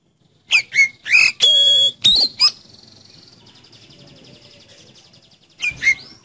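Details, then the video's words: Oriental magpie-robin song, energetic, meant to prompt a kept magpie-robin to start singing: a quick burst of varied whistled and buzzy notes, a long sustained whistle, a quiet pause with faint hiss, then two more sharp notes. "Siulan Kacer Penuh Energi Untuk Pancing Kacer Anda Jadi Cepat Buka Paruh"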